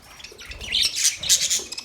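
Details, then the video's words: Budgie giving a short, high, squeaky warble of twisting chirps lasting under two seconds. "Budgies chirping sound"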